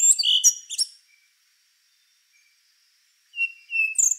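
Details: An endangered rufous-brown solitaire ends one phrase of bright, tumbling high notes, falls silent, then begins again with drawn-out pure whistles rising into sharper notes.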